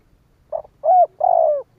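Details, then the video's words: Spotted dove cooing to rouse other doves into calling: a low, mellow phrase of a short soft note, a clear coo, then a long rolling coo, with the next phrase just beginning at the end. "Tiếng chim cu gáy kích bổi nhanh nổi"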